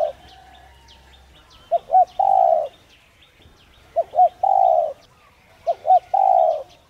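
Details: Urging coos of a spotted dove meant to prompt other doves to start cooing; three even phrases, each two quick hooting notes then a sustained level coo, spaced about two seconds apart over soft distant bird chirps.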